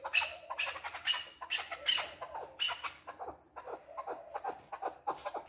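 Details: Chukar partridge, a male, gives loud grating chucks with short squeaky notes at the start, then softer, quicker, lower clucking notes running together toward the end.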